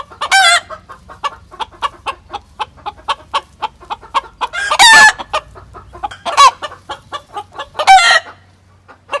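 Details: Flock of chickens on a farm calling excitedly after a white hen laid her egg in the coop: rhythmic clucks about every half second with loud squawking cackles; a guinea fowl calls in the background.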